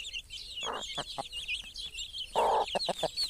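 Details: Broody hen with her chicks, giving two loud, low, rough clucks about two seconds apart, with short soft clucks between them. Constant thin, high peeping from the chicks runs over the whole recording.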